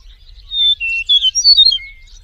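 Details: Eastern meadowlark singing in the wild: a short phrase of clear, slurred whistles. Steady high notes step down, then a quick jumble of brighter rising and falling whistles ends on one lower drawn-out note. The background is quiet.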